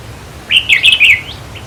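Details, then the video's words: Red-whiskered bulbul singing, used to stir caged birds: one quick phrase of several liquid, bubbling whistled notes run together, set against a constant hiss and low hum. "ต่อเพนียดนกกรงหัวจุกแก้มแดง เปิดให้นกฟัง ยั่วให้นกคึก"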